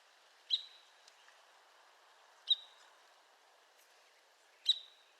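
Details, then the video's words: Arizona woodpecker giving sharp, high single call notes, one roughly every two seconds, each note clipped and abrupt against a quiet background. "Arizona Woodpecker Bird Sound Video"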